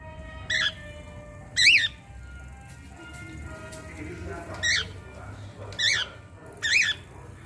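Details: Pet cockatiel wanting to play with the children, giving loud harsh screeching calls, each a brief rising-falling squawk, six in about seven seconds at uneven gaps, over low household background noise.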